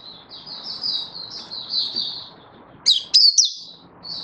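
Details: Oriental white-eye, known as mata puteh, in 'buka' song on 24 February 2023: quiet, thin high warbling over background hiss, then a few sudden loud sharp chirps near the end.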